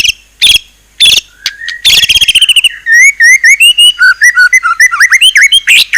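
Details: White-rumped shama, locally murai batu, singing a rich, varied song: loud harsh bursts, then a rapid series of clear whistled notes rising and falling, repeated in quick phrases.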